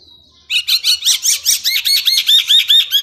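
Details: Bird on a master recording for training contest birds; a thin whistle, then rapid squawky chirps repeated about five times a second.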